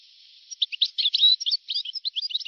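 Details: European goldfinch, recorded sometime in 1982–1990: a lively, fast tumbling twitter of bright chirps and short whistled slurs, continuous over two seconds, with faint hiss behind.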